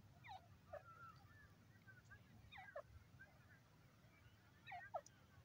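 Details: Francolin (teetar, including dakni teetar) calling: short sharp downward-sliding notes near one kilohertz, repeated in pairs roughly every two seconds, over a steady low hum and faint background noise.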